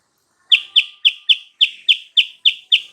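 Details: Sooty-headed bulbul lure song, used to provoke a rival bird into answering: after a short silence, a steady run of ten sharp, bright chirps, each falling slightly, repeated about four times a second.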